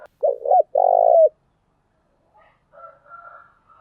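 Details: Lure recording of a female spotted dove meant to bring other doves in quickly: a throaty two-note coo followed by a long level coo with a falling tail, then quieter burbling notes.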